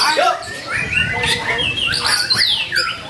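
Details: Actively singing White-rumped shama, recorded to goad other shamas into singing; rapid mix of short whistled slurs, downward sweeps and a bright descending trill near the end over soft low rumble.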